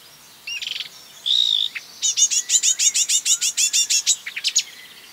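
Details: Marsh warbler (Acrocephalus palustris) imitating other birds: a few scratchy notes and a whistle, then a rapid run of about fifteen bright repeated chirps, ending in sharp ticks.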